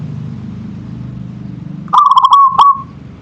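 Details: One song phrase from a local zebra dove (perkutut): rapid staccato coo notes, a short pause, then a final note tapering into a soft trill, following quiet low-pitched rumbling background.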